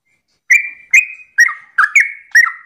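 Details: Morning 'ropel' song of a sooty-headed bulbul, played so other bulbuls reply: six clear whistled notes roughly every half second, some sliding down into a lower tone, after a short silence.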